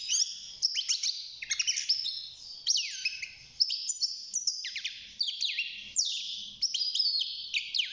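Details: Young caged European goldfinch, six months old, beginning to sing: a fast, continuous run of bright twittering notes with descending slurs and short buzzy trills, high-pitched and unbroken for the whole stretch.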